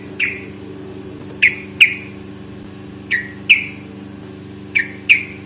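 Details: Yellow-vented bulbul, from a fighting-song lure recording meant to make bulbuls answer: sharp bright chirps, mostly in pairs about a second and a half apart, over a constant low mechanical hum.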